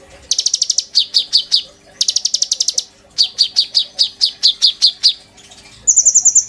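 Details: Kolibri ninja sunbird singing energetically, used as a master recording to train and stimulate other birds: bursts of rapid, sharp high chirps repeated about six to ten times, separated by short pauses, ending with a higher, thinner fast trill.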